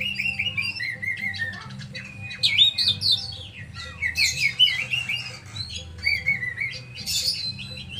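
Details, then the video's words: A caged oriental magpie-robin sings a long, varied medley: wavering whistled trills, rising slurs and harsh rasping squawks, delivered in loud bursts with short pauses, over low droning room noise. "INI KACERKU!! MANA KACERMU??"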